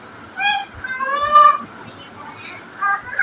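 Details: Singing and dancing African grey parrot gives a loud, rich, honking note, then a drawn-out nasal call that bends slightly, followed by quieter murmurs and a short harsh note at the end.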